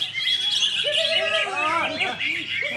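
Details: Greater green leafbird, called cucak hijau, singing in a rich, continuous stream of fast warbled and slurred whistled phrases, dense high twittering over lower looping notes, with faint voices in the background.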